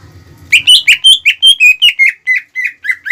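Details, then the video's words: Greater green leafbird singing to stir up rivals; a rapid run of about fourteen loud, sharp whistled notes, each slurring slightly downward, after a brief low rumble. "PANCINGAN CUCAK IJO GACOR CEPAT MEMANCING EMOSI LAWAN"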